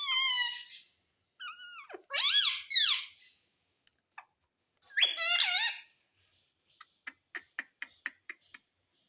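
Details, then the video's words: Talking parrot imitating words like mitthu and mummy; loud squeaky word-like phrases, a wavering harmonic call, then a run of quick, evenly spaced clicks at the end. "Talking parrot - Bolne wala mitthu - mitthu mitthu 🦜 Mummy bolne wala tota - papa bolunga"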